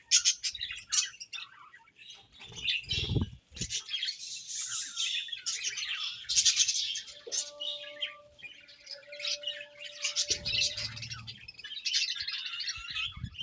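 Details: Morning chatter of several budgerigars: long, uneven streams of high twittering and warbled chirps rise and fall in loudness, with occasional thumps and a steady low tone partway through.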